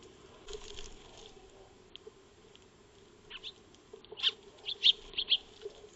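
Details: Eurasian tree sparrows feeding in a backyard, recorded by a motion-triggered wildlife camera dated 02-03-2025, give short, bright chirps in quick irregular bursts that grow louder toward the end, over a low steady hum and faint rustling.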